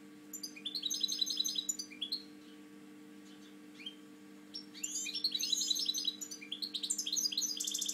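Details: Caged European goldfinch, a prized breeding male kept in Spain with a slightly drooping wing, singing bursts of rapid twittering, tinkling high notes in two phrases separated by a pause; steady low electrical hum underneath.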